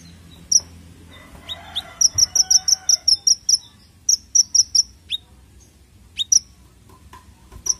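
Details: Konin (sunbird) song kept as lure and training material: scattered high chips, then a rapid burst of about ten piercing, evenly repeated notes, another shorter burst and a few thin calls, with faint lower whistled tones beneath.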